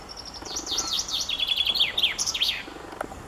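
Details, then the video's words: Common chaffinch singing at the end of April: a bright, rapid trill of high notes that steps downward in pitch and finishes with an emphatic flourish, all delivered in about two seconds. "Zięba śpiew chaffinch birdsong"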